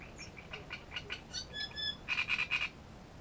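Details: Great reed warbler singing at Grachevka, recorded on 17 June; harsh, grating broadband notes given in pairs and short series, mixed with a few thin whistled tones, at moderate volume.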